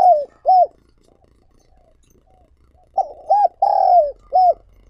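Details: Spotted dove used as a decoy for wild doves, cooing in mellow phrases: two short hoots, a pause, then quick hoots and a long sliding coo ending in a final note.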